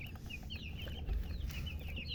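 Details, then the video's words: Several chicks give short, high, slurred peeps in quick succession, some rising and some falling, over low background hum with a brief thump near the middle. "silly chicken chirping sounds with murgi hen color chicken"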